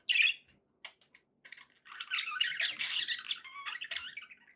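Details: One sharp squeak from a pet budgie, scattered clicks, then a softer, continuous run of buzzy, twittering warble with some whistled tones, quieter than the opening note.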